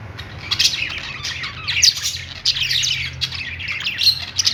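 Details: Budgies perched and singing, a steady jumble of squeaky chirps, buzzy trills and short squawks with a low hum in the background.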